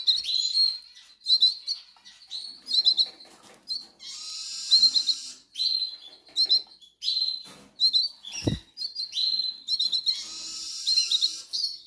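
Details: Hungry goldfinch nestlings begging, a dense run of thin, high squeaky calls in quick bursts with short pauses, some rising into harsher chatter, and a single sharp low knock near the end.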